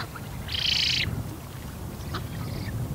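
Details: On Bislicher Insel, 12 September 2021 at 15:35, a young Eurasian spoonbill begging for food gives a single half-second hoarse, high wheeze, followed by faint ticks and low murmuring background noise; recorded with a Canon EOS R5.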